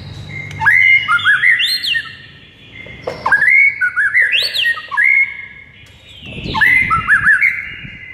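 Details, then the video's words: White-rumped shama morning masteran song, meant to rouse a silent shama: loud whistled phrases with rising and falling sweeps and high overtones, three bursts each about a second long, separated by quieter pauses. "Murai batu BISU seketika NAIK EMOSI dengar MASTERAN PAGI ini"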